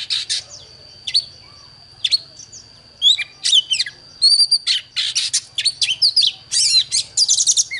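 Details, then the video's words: Oriental magpie-robin answering a wild bird. It opens with scattered short notes, then breaks into a rapid stream of whistles, twittering trills and buzzy bursts over a faint low hum. "Chòe than Đấu với chim THIÊN NHIÊN 100% ĐẠT LỬA"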